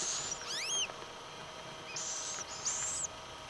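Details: Little owl family, the call called "chich" by chicks and adults. A whistled up-and-down sweep comes first, then two drawn-out high hissing bursts of about half a second each, with quiet background hiss.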